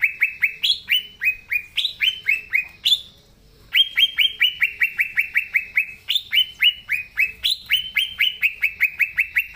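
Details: Green leafbird (cucak ijo) in vigorous song: long chains of loud, rapid downslurred whistles, regular and insistent, with occasional higher jumps in pitch and one brief pause midway.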